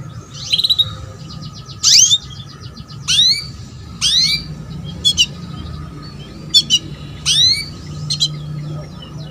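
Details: Female canary calling to lure a male into singing: sharp upward-sweeping chirps and short rapid trilled bursts, spaced about a second apart, over a steady low hum and faint background chatter.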